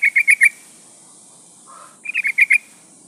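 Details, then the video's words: Sooty-headed bulbul female in breeding condition calling a male: two bubbly phrases of four to five quick notes, a soft lower warble between them, and a steady high hiss behind. "trucuk betina memanggil jantan"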